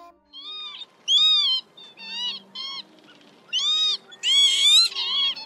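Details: Northern lapwing calls for luring migrants into night nets: separate wheezy, bending cries, short ones and longer ones, with quiet pauses between them and a loud layered burst near the end.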